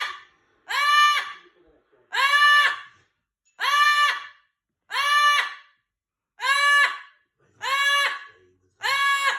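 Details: A yellow-crowned amazon (Amazona ochrocephala) gives seven loud, harsh, nasal screams, each under a second long, repeated roughly every one and a half seconds.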